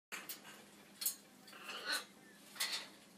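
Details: Dori, a talking macaw, gives a few short, harsh, raspy squawks with brief voice-like tones, spaced irregularly over a few seconds, with light clattering; the bird is scolded for screaming and yelling.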